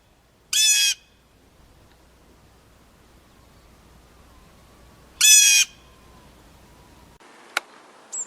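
A Blue Jay gives two harsh, nasal screams about four and a half seconds apart, over a quiet background with a soft click at the end.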